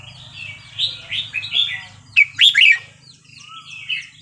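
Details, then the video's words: Red-whiskered bulbul Burmese-style song, 3-4-5-6, played to tutor young birds: soft whistled notes, then a loud, quick run of sharp chirps around two seconds in, followed by quieter warbling. "นกกรงหัวจุกเพลงถิ่นพม่า 3-4-5-6"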